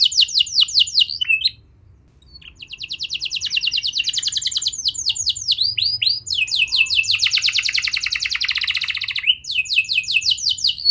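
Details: A canary delivers a lure song to get young canaries singing, with rapid high phrases, a short pause, then a long mix of fast trills and rolling runs continuing for many seconds.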